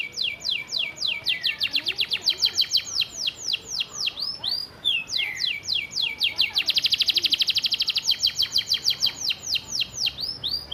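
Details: Caged canary's master training song with church-style fill and rapid-fire bursts: long rattling trills of high clipped notes, a brief pause, then a faster, louder rolling trill and repeated falling whistles, with light background noise.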